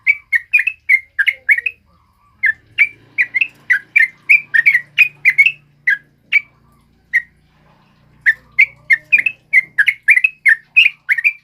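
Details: Sooty-headed bulbul singing continuously, a recording meant for training other birds: long runs of quick, fluty chirps and bubbling notes, broken by a short pause in the middle, over a faint low hum.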